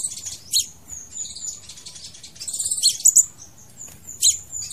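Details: Crimson sunbird song used to lure or trap birds: quieter, busy run of thin high notes, short slurs and brief chattering trills packed closely together, with a steady faint background hiss.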